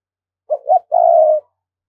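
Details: Spotted dove from Đồng Nai, Vietnam, a decoy bird calling to draw wild doves in quickly: two short low hooting notes followed by one long, slightly vibrating coo, all in a quiet, clean background.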